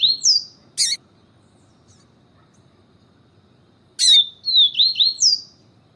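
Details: Siu siu song of the yellow-bellied seedeater, with a female calling to excite the male. Two bursts of high, slurred whistles, each ending in a rising buzzy note, separated by about three seconds of quiet. Sharp clicks precede each burst.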